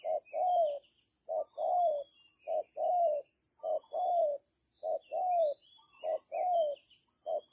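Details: Spotted dove kept as a trapping decoy, cooing in steady short-long pairs with a gently falling slur on the longer note, while distant small birds chirp faintly.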